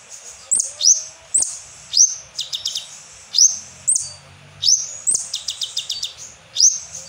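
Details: Lure song of an Asian glossy starling, filled with kapas tembak phrases. Piercing high rising whistles alternate with rapid dry ticking bursts of five to eight notes, delivered in an uneven stream with faint low hum beneath.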